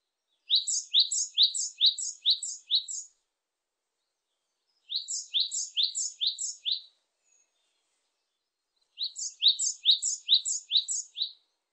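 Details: Great tit repeating its ringing two-note phrase in three bursts of five or six phrases, each pair a high sharp note dropping to a lower slurred note, with pauses of about two seconds between bursts.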